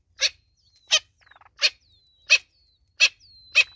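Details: A mother Natal spurfowl in South Africa gives six harsh, rasping notes, about two every three seconds, while her chicks make thin, high, down-slurred peeps between them.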